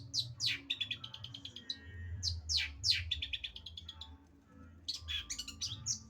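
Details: Long-tailed shrike giving sharp descending whistles followed by quick rattling trills, then a burst of mixed squeaky notes, with a low humming background.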